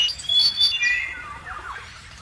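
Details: Young plaintive cuckoo in a foster nest as it pushes two nestmates over the edge: sharp high chirps and thin whistles early, then softer, lower sliding notes fading away.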